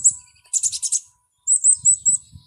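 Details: A Black-capped Chickadee, a small backyard bird that usually says its name, gives a very high thin note, then a burst of buzzy notes, then a quick run of high whistled notes, all in about two seconds.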